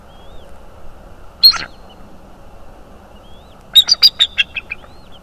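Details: Bald eagle at a nest in North East Florida, recorded by a nest camera on 25 January 2022: one short high chirp, then after a pause a quick run of about six thin, sharp piping notes. Faint high whistles sound in the background.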